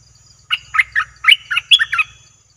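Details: Bulbul calls recorded as a lure for wild birds: a quick run of about seven bright, whistled, warbling notes over roughly one and a half seconds, with a faint low hum beneath.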